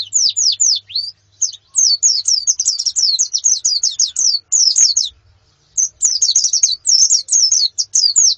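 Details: Female and colony white-eyes (pleci) calling, used as therapy to stimulate a male's song; rapid high, thin, down-slurred chirps in dense overlapping runs with a short pause near five seconds, several birds chattering together.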